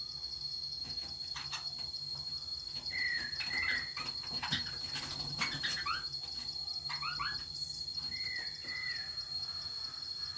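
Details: Budgerigars playing with each other: short warbling, chirpy notes with quick rising and falling bends, in two bursts several seconds apart, over a steady high electronic-like whine and soft rustling.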